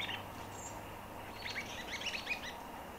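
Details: White-browed Babblers foraging in ground-storey leaf litter in Victoria in June 2020; a quick burst of several high, scratchy chattering notes over a constant low hum.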